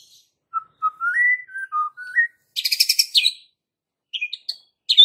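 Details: White-rumped shama lure song for provoking young and wild fighter birds: a string of soft whistled notes rising and falling, followed by a harsh rattling burst and short sharp high notes.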